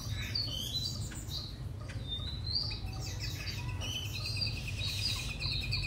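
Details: Young caged white-rumped shama, three months old, in Hanoi, delivering a long song of bright, rapidly changing whistled notes that swoop up and down, backed by a constant low hum and a steady rattling trill late on.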